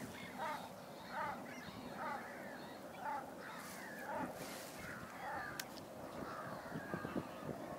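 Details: Common shelducks squabbling aggressively with each other in a polder near Ridderkerk, Netherlands, give harsh, nasal honking calls roughly once a second, each a short rising-and-falling note, over a low background murmur.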